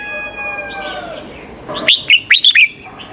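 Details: Faint steady whistled tones fade out before a decoy red-whiskered bulbul, used to attract wild birds to traps, bursts into five quick, bright, downslurred chirps.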